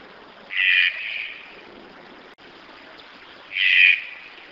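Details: Rough, croaking calls from a red-breasted toucan, two strong notes about three seconds apart with softer trailing sound after each.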